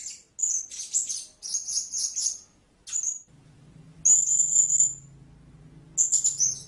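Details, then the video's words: Blue-crowned hanging parrot calling with a rapid run of high, squeaky trilled notes, then a longer drawn-out shrill note and a final burst, over a faint low hum. "เสียงนกหกเล็กปากดำ Blue-Crowned Hanging Parrot Sound"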